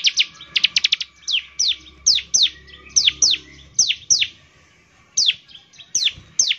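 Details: Bar-winged prinia singing strongly, used to call other prinias into song: a quick opening trill, then spaced, sharply down-slurred high notes roughly every third of a second.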